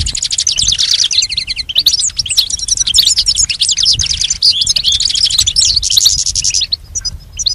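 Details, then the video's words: Goldfinch singing in a tutoring recording for pet birds: an unbroken jumble of quick, bright chirps, buzzy trills and sharp tweets, easing off with a few scattered notes at the end. "Teaching the goldfinch the art of song-advanced lessons in best chirps"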